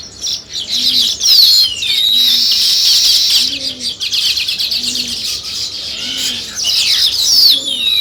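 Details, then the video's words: Sparrows chirping in a dense, continuous high chatter of many birds, with a few long descending whistled slurs and soft low hooting notes repeating roughly every second underneath. "Sparrow Chirping"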